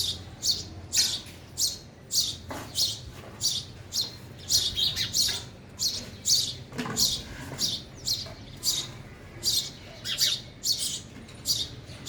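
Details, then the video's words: Sparrows feeding at a feeder keep up a busy chatter of short high chirps, one to two per second, some clustered in quick runs, with faint rustles behind. "sparrow sound effect | ચકલી ઘર | chaklino avaj | sparrow eating"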